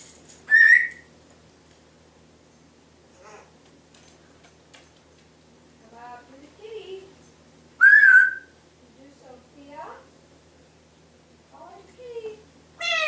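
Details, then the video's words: Captive Timneh African grey parrot at home copying household sounds: sharp rising whistles spaced several seconds apart, mixed with soft clicks, brief chatter-like notes and short squeaks in a quiet room. "African Grey: twenty sounds"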